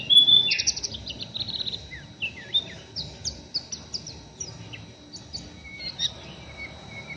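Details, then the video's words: Caged young oriental white-eye, still untrained, chattering roughly in the ngeriwik style: a loud whistled start, then assorted short slurred notes and chips that thin out and grow quieter. "PLECI NGERIWIK KASAR BURUNG MASIH BAHAN"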